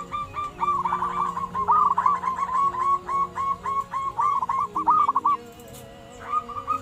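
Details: Local ombyokan zebra dove song, used to lure wild doves and to train captive ones: long rapid strings of short, bright coos repeated several times a second, with a steady drone of held musical tones underneath.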